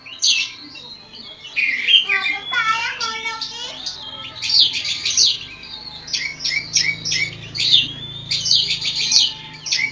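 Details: Oriental magpie-robin of the kacer poci form from Java, singing in ngobra style: loud, varied whistled and chattering phrases mostly high-pitched, with a lower rasping, harmonic burst early on and short squeaky notes in rapid bursts.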